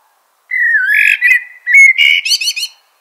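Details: Common blackbird delivering a sustained fluty whistled phrase with slight wavering, then a brief pause and a final burst of squeaky, rapidly repeated high notes.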